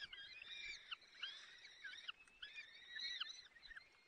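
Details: At a peregrine falcon nest in the Barycz Valley, 30 April 2020, the male feeds several chicks while the female is away. Two bursts of overlapping shrill, wavering squeals, each lasting over a second.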